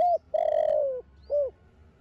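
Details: Young spotted dove in the Thổ Đồng voice, of Thổ Sấm descent, cooing to spur other doves: the end of one note, then a long slowly falling coo and a short arched closing coo.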